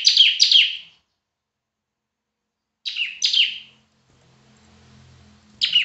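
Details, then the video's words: Bar-winged prinia (ciblek), loud semi-active singer: short clusters of two sharp, downslurred notes separated by long gaps, with a faint low hum between phrases. "Burung Ciblek Semi Gacor Suara Keras Buat Masteran"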